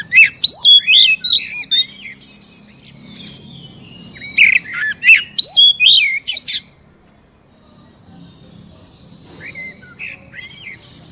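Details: Oriental magpie-robin (kacer) song played to get a captive bird singing: three bursts of rapid, loud whistled chirps and slurs, separated by quiet gaps, the last burst softer and shorter.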